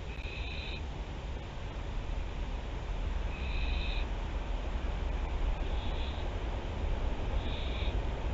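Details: Théding barn owl, France, 24 September 2021, nest webcam recording: four breathy, snore-like screeches in quick irregular succession, each under a second, set against continuous low-pitched background drone.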